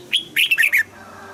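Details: Red-whiskered bulbul in double-note 'old forest' style song for morning-song training: a single short phrase of one high whistle followed by four rapid, bright, downslurred notes, over a quiet low hum.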